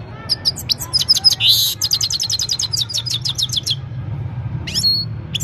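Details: Himalayan goldfinch singing at evening time, captured on a mobile phone: a rapid series of high, clipped chirps and a short buzzy burst, then sparser twitters near the end, over a low background rumble.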